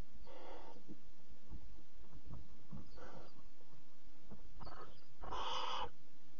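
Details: At 03:00 on 26 July 2017 a barn owl mother reaches the nest box with a bird for chick four; breathy hisses at intervals build to a loud, harsh screeching hiss near the end, over faint knocks.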